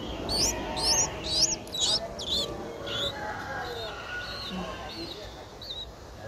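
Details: Nine-day-old Streak-eared Bulbul nestling, Ubon Ratchathani, Thailand, 11 April 2023. Five loud, piercing, upward squeaks in quick succession are followed by softer, wavering chirps that fade away.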